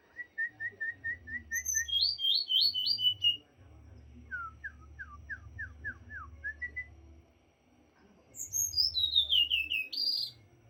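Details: Varied song of a white-rumped shama (morae): an even run of quick low whistles, then high fluty phrases, a series of downslurred notes, and a final burst of loud, swirling whistles. A low hum continues throughout.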